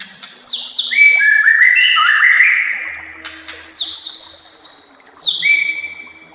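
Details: White-rumped shama master song for training other shamas: rich loud descending whistles and slurred phrases, sharp high notes in quick series, a pause, then more clear whistled phrases.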